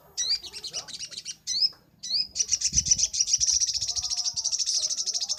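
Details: Vigorous 'gacor nembak' singing from a crimson sunbird, used as a master recording for training birds: sharp downward-sweeping high whistles, a short gap, then a long, rapid, shimmering high trill running to the end, with faint low rumble.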